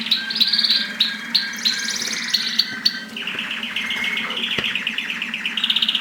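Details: Mosaic canaries during mating: fast rattling trills and chirps, high and bright, switching to a new repeated trill phrase about every second or two, over a steady low hum.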